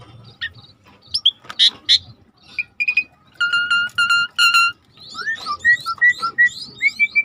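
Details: Asian pied starling song played to trigger a silent starling into singing. Varied phrases: sharp upswept whistles, steady buzzy harmonic notes held in pairs, then a quick series of short rising whistled notes.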